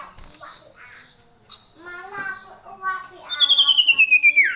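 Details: Female common iora, a bird described as very loud and shrill, calling: a loud pulsed whistle sliding steadily downward over about a second, following softer harmonic, speech-like sounds.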